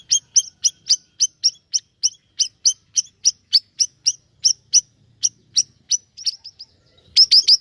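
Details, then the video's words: Siri-siri bird singing energetically, a fast train of sharp high chirps about three per second for seven seconds, ending in a louder quick burst. "Gacor nya Burung Siri Siri ini"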